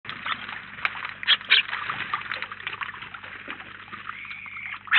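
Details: House sparrows, a flock of about nineteen birds at the feeder in Collado Villalba, Spain, giving dense overlapping chirps at moderate distance, with short louder chips near the start and end.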